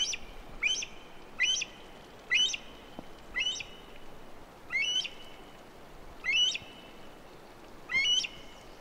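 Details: Himalayan monal (Danfe) in Rara National Park, Nepal, giving sharp, rising whistled notes about once a second over a faint steady background hiss.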